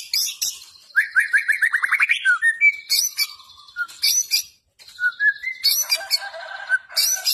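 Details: Fighting-style gacor song from a white-rumped shama, energetic and persistent: a rapid rising string of about ten chips, then loud buzzy bursts, short whistles and scratchy phrases separated by brief gaps.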